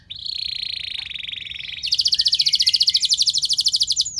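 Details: Canary singing a long, loud lure song meant to prompt other canaries to sing: a steady buzzy trill held for nearly two seconds, then a higher, faster pulsed trill running to the end.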